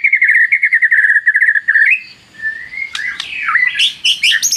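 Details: White-rumped shama song used as a lure to excite rival shamas into singing. A fast warbling trill gives way to a soft pause, then sliding whistles and sharp high chips.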